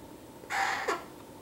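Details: Baby female eclectus parrot, eight weeks old, gives a single short hoarse squawk lasting about half a second with a brief downward-slurred tail, against a quiet background.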